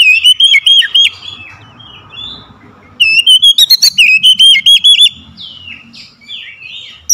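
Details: Lure oriental magpie-robin, meant to spur a silent bird into song: bright rolling whistled trills in two loud bursts separated by a quieter gap with soft chatter and a distant call.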